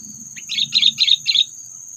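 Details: Sooty-headed bulbul call used as a trapping lure meant to provoke predators: four quick, harsh chirping bursts in a row, each about a fifth of a second, over a steady high-pitched whine and faint low rumble.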